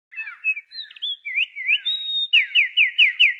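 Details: Unidentified songbird whose voice is said to resemble a magpie-robin: clear whistled notes sliding up and down, then a run of seven rapid, evenly spaced upslurred whistles repeated about every fifth of a second, no other sounds.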